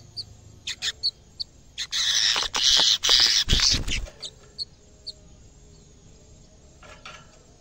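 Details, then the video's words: A canary in a cage, singing at a camera it sees for the first time, gives a short burst of loud buzzy rolling trill between sparse, isolated high chirps. "kenari gacor bikin geleng geleng kepala reaksi kenari saat pertama kali lihat camera dalam sangkar"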